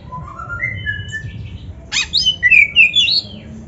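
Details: Oriental magpie-robin, called kacer, singing as a training tutor for birds slow to sing: soft rising whistles first, then a harsh rasping burst followed by quick sweet whistled slurs, light background hiss.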